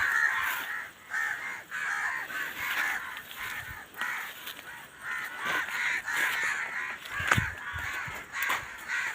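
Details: Many crows calling together near a village field, harsh overlapping caws forming a continuous noisy chorus with brief louder bursts.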